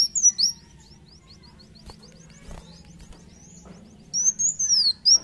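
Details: Sunbird, known locally as kolibri wulung, singing vigorously: loud bursts of high, thin, down-slurred whistles open and close the passage, with faint rapid ticking notes between them and a low background hum.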